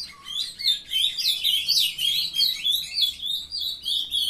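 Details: Captive young ultramarine grosbeaks from a breeder in Paraná, Brazil, singing a fast, continuous high warble of twisting, slurred whistled notes that rise and fall, in pulsing bursts about four times a second.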